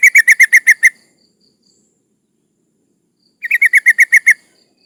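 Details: Female yellow-vented bulbul in breeding condition, calling to attract males and used to lure rivals. Two separate bursts of seven rapid, scratchy chattering notes, the second softer, with about two and a half seconds of quiet between.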